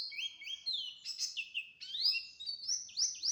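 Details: Pleci delivering a varied warbling song of upslurred and downslurred whistles, shifting pitch between phrases, with sharp sweeping notes toward the end.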